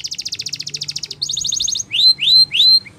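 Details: Trained-song canary delivers a rapid rolling trill, shifts to a higher, faster trill, then gives three drawn-out upslurred whistles followed by a short chip.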